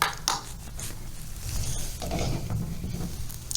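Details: Clattering and rattling handling noises sit over a low rumbling hum, with no animal sounds.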